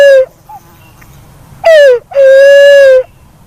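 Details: Hollow hoots of a black-naped fruit dove: the tail of one long note, a pause, then a short downslurred note and a sustained, level, rich-toned hoot.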